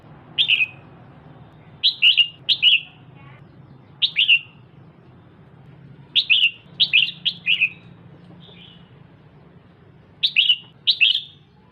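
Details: Calls of a female red-whiskered bulbul stimulating the male: short bursts of two to four crisp, high chirps, separated by gaps of one to two seconds, with a low background hum throughout.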